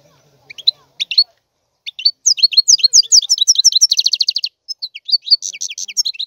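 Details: European goldfinch song made of a few opening chirps followed by a sustained stream of varied, sparkling twitters and a tight, rapid trill, all high-pitched and clear against a quiet background.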